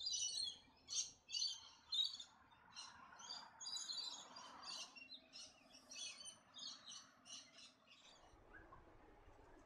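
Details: White-bellied cuckooshrike in Australia, giving a run of about twenty harsh, high, buzzy chattering notes over eight seconds. The notes come quickly at first, then slow and fade. A faint low hum sits underneath.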